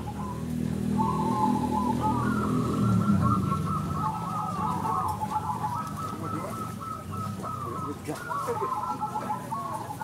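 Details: At a zebra dove singing competition, locally bred crossing birds deliver steady runs of trilled, bubbling coos one after another over a low droning hum and faint voices.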